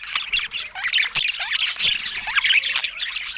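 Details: Pet budgies chirping: dense, continuous warbling chatter of squeaky rising and falling notes and short squawks, several birds overlapping with little pause.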